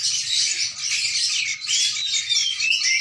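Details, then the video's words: Sooty-headed bulbul singing to tutor a young bird: a dense, continuous stream of high, overlapping chirps and quick twittering slurs, bright and busy throughout. "burung kutilang melolo anak burung terucukan"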